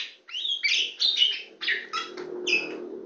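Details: Tame kacer poci, an Oriental magpie-robin, sings perched on a hand: a busy stream of slurred whistles and scratchy warbles over a low steady hum, ending with a clear high whistle.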